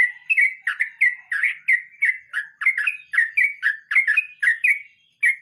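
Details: Sooty-headed bulbul (trucukan) in the rolling 'ngeroll mbonang' song style: a steady string of short, bubbly, chirped notes, about two each second, slightly rising and falling, with a brief pause near the end.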